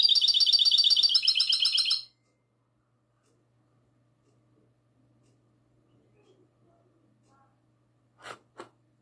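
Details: Classic-style song of a goldfinch hybrid, recorded at night on 22 March 2020: two seconds of fast, bright, evenly pulsed trilling, then near silence with a couple of soft knocks near the end.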